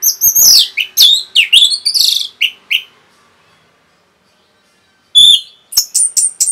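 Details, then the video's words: Orange-headed thrush singing a rapid song meant to provoke other birds: loud, rich whistled and slurred phrases in quick succession, a pause, then sharp high repeated notes. "SUARA RAPET ANIS MERAH BIKIN EMOSI BURUNG NAIK LONCAT INDAH LANJUT NGEPLONG GACOR TELER NGOTOT"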